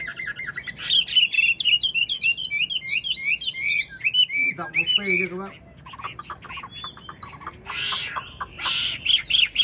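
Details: Caged wild-caught old Chinese hwamei with a fine singing voice, delivering fast repeated whistled phrases and chirps, a harsh lower squawking burst midway, then more bright whistles and scratchy notes.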